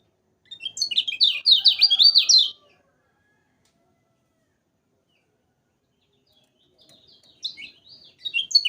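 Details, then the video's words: Lemon-bellied white-eye energetic tutor song: a two-second burst of fast, high twittering notes sliding up and down, then a long silence and a few softer chirps near the end. "Kecial kuning Masteran Paling Mantap Bagi Yang Penghobi Burung Kecial Kuning"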